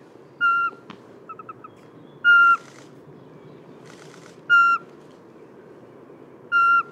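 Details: Eurasian pygmy owl song in Germany: soft, mellow whistled notes on one even pitch, about every two seconds, with faint chirps and rustles between; this soft whistling carries up to a kilometre from this partly diurnal cavity-nesting owl.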